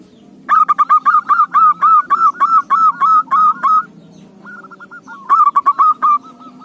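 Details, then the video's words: Zebra dove (perkutut) song played as a lure to prompt other doves to sing: loud, rapid staccato coos, about a dozen in three seconds, a pause with softer distant notes, then another quick burst. "PANCINGAN SEMUA JENIS KUTUT || malas bunyipun nyahutt"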